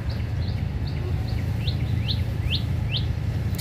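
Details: House sparrow; fighting calls; sparrows quarrelling and fighting among themselves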